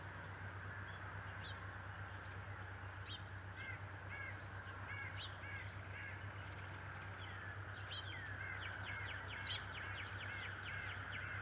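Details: Decorah bald eagle pair at their nest, March 2018, the male with grass caught on his beak: scattered high chirped notes building into a fast chittering run near the end, under persistent electrical hum and a steady tone.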